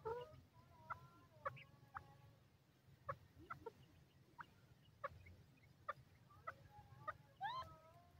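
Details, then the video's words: A francolin gives scattered clucking notes and short, nasal, rising speech-like calls at an irregular pace over a steady low rumble. "speech of the francolin"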